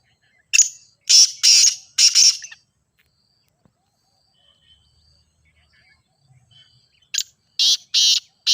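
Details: Grey francolin call played to prompt another bird to call: a series of four rough, high-pitched bursts, a pause of several seconds, then another run of four loud bursts.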